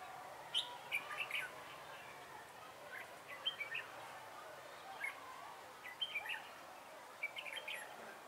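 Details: Decoy red-whiskered bulbul in a trapping session, 3 November 2017, giving short warbling phrases of sweet chirps roughly every one to two seconds, some answered by fainter notes, over steady outdoor hiss.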